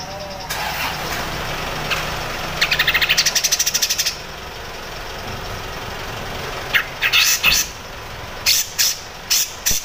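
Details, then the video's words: Grey-cheeked bulbul in the crecet singing style, used as a master song for training songbirds such as white-rumped shama and oriental magpie-robin. Bursts of rapid, rattling chatter come in two spells, with short harsh notes near the end over a steady low hum. "CUCAK JENGGOT CRECET cocok untuk masteran MURAI BATU ,KACER, CUCAK HIJAU"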